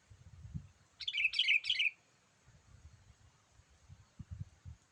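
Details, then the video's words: Lively gacor voice of a sooty-headed bulbul, played to attract wild birds: a single run of three fast, bubbly, falling chirp phrases near the middle, with soft low background thumps around it. "memikat burung kutilang dengan suarany yang gacor"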